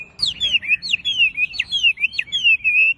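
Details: Brief wambi masteran phrase for training captive birds: quick high downslurred whistles tumbling one after another in a rapid, chattering string.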